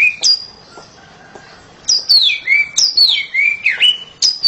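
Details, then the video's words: Oriental magpie-robin kept at home, singing with a loud voice: a rising whistle, a pause, then a lively series of sliding whistled notes, some dropping, some rising, in quick succession. "KACER RUMAHAN KICAUNYA NYARING"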